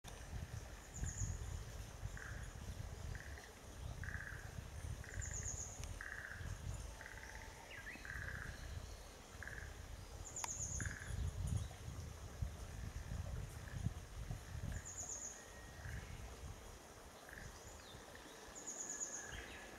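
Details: A Japanese pygmy woodpecker fledgling, just out of the nest and being fed by its parent, begs with short, scratchy notes repeated about once a second.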